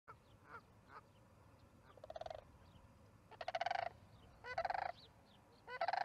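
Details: Sandhill crane calls heard at an osprey nest in Charlo on May 14, 2019, at 6:30 pm: short, harsh, pulsed rattling bursts repeated irregularly and growing louder, with faint high slurred whistles from other birds between them.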